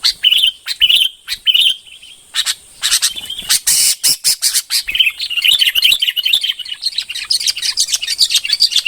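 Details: Red-whiskered bulbul phrases of clear whistled chirps, a short gap, then a scratchy burst and a long run of busy chattering notes.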